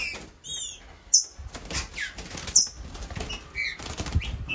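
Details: A champion male green-winged saltator, kept away from his female, gives bright, clear downslurred whistled bursts on 19 July, broken by loud wing-flapping thumps and a man's voice.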